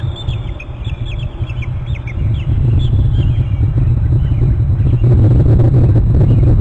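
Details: Bald eagles at their nest territory on Hornby Island, March 27, trilling around mating: a quick run of high, thin, falling notes repeated for about two seconds, then heavy low rumbling wind or handling noise.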